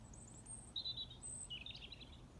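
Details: A Pied wagtail at Muckross House lake, Killarney, Ireland, gives a few sharp, high chirps, some very thin and others slightly lower and buzzier, over a low outdoor rumble.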